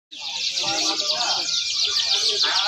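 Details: Canary in a song-courage test, giving a continuous dense high chattering trill with rapid twittering notes throughout, accompanied by low murmuring voices in the background.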